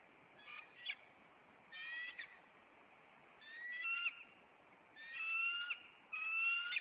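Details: Nesting bald eagle pair in Maine on April 26, confronting an intruder as the male flies in and perches; high thin whistled squeals in short groups, some rising, separated by brief pauses.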